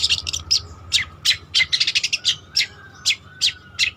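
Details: Singing long-tailed shrike (cendet trotol) used for luring or training other birds: a quick jumble of harsh chips and squeaks, then spaced single sharp notes roughly every half second, with a faint steady hum.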